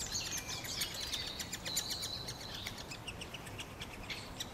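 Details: A pre-fledged great spotted woodpecker chick, fed by its parent, gives a dense, incessant high chatter of sharp, squeaky notes, about one or two a second, overlapping into a continuous shrill din.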